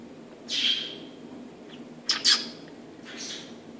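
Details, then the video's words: Parrot mimicking human speech, saying "un bisou" (a kiss) in French: three short, high, breathy bursts spaced about a second apart over a quiet background hiss. "Parrot says "a kiss" in french"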